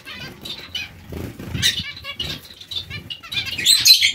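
A colony of zebra finches gives overlapping nasal, toy-trumpet beeps and chatter, with bursts of wing flutter throughout.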